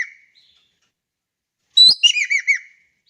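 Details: Javan kingfisher in Indonesia calling: after a faint note and a short pause, one loud phrase opens with a sharp high note and runs into four rapid, arching, down-slurred chirps.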